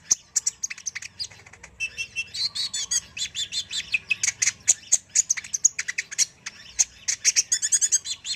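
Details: Sunbird, described as a strong, lively singer, delivering a dense run of high, sharp chirps and twittering notes, with rapid trills and quick buzzy bursts packed closely together throughout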